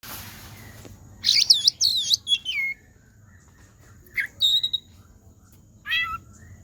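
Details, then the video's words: Oriental magpie-robin song imitating a cat: loud, sharply sweeping high whistled phrases around 1.3–2.7 seconds, then a bright burst near 4.5 seconds and a descending mew-like slur near 6 seconds, separated by quiet gaps. "KACER BUNYI SUARA KUCING"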